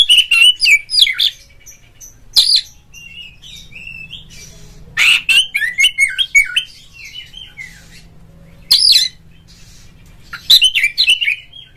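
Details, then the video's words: Oriental magpie-robin lure song intended to provoke a rival bird into singing and tail-fanning: bursts of harsh squawky notes mixed with slurred whistles, separated by quiet gaps over a faint low hum. "suara pancingan burung Kacer"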